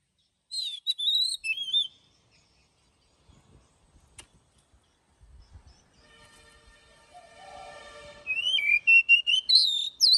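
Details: Oriental magpie-robin morning song in wild-forest style with long drawn notes, played for training birds to sing; bright varied whistled phrases open and close, separated by a quieter stretch with a buzzy harmonic sound and faint clicks.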